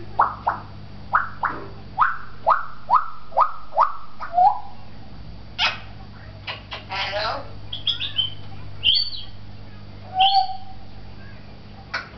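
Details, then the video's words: Talking African grey parrot kept at a pet shop in Beit Hanina, Palestine, gives a fast string of about ten short repeated descending notes, then harsh squawks, a scratchy burst and a couple of whistled notes, with room hum beneath. "the talking African Grey"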